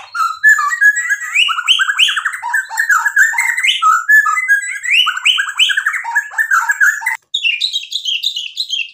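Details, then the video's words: White-rumped shama singing energetically, used as a lure to provoke other shamas: a rapid, unbroken stream of varied whistled and chattering phrases, rising and falling notes and fast trills, with a short pause near the end before higher, sharper whistles. "MURAI BATU GACOR bikin EMOSI jadi NYAUT BUNYI AMPUH buat PANCINGAN biar BONGKAR ISIAN"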